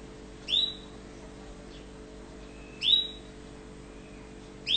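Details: Tunisian canary, orange-coloured, repeating single high upswept whistled notes roughly every two to two and a half seconds, each a quick rising tweet with a thin trailing tail, over constant faint background hum.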